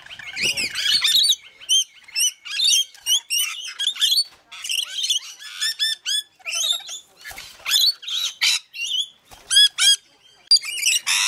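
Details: Rainbow lorikeets feeding, with many overlapping shrill, squeaky chattering notes in quick irregular bursts, some with rapid warbling sequences.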